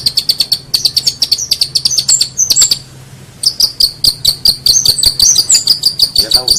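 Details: Tutoring master of long-tailed shrike song: quick strings of thin, high chattering notes broken by a brief pause, then resuming with shrill whistled flourishes.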